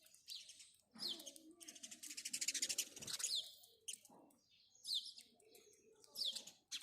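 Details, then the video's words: House sparrow chirping in a run of harsh, downward-slurred chirps, some bursts dense and rapid, with short pauses between; faint low rustling beneath. "house sparrow birds call | house sparrow sound | house sparrow chirping"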